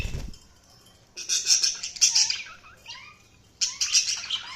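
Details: Budgies chirping in two lively bursts of rapid, raspy warbling chatter mixed with short upward-sliding whistles, separated by a brief quieter gap, over faint low background hum.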